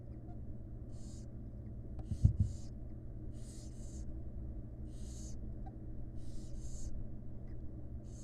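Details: Hissing begging snores from wild barn owl chicks being fed by the mother in a nest box, given in uneven pairs and singles, with one sharp thump near the start and a low electrical hum throughout.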